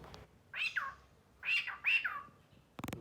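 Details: Talking pet cockatiel producing three short, hoarse, rising-falling squawked notes in quick succession, followed by a brief clicking noise.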